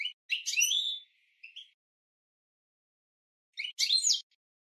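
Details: European goldfinch training song for cage birds: two short bursts of bright, twittering, tinkling notes with buzzy slurs, separated by about two seconds of silence.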